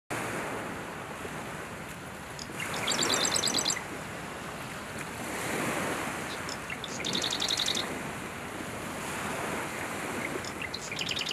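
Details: A male Marsh Wren sings from tall cattails on a July 2020 morning in southern Ontario, Canada: three short, high, mechanical rattling trills, one every three to four seconds, over a steady rushing roar of wind or surf.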